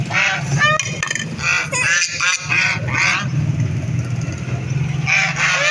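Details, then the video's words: Ducks quack in a noisy cluster of rough, nasal calls during the first three seconds. After a quieter gap with a low engine-like drone, another short burst of quacking closes the recording. "Ducks quack quack"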